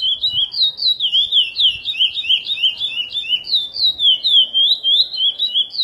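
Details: Curió, the chestnut-bellied seed finch, giving 'praia' style song prepared for teaching young birds: rapid, loud, sweet whistled notes rising and falling in a continuous rolling series, phrases broken by short gaps, with soft background rustle.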